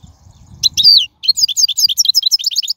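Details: Wild European goldfinch song for training young birds: a downslurred whistle followed by a quick series of bright, repeated twittered notes, low noise at the start.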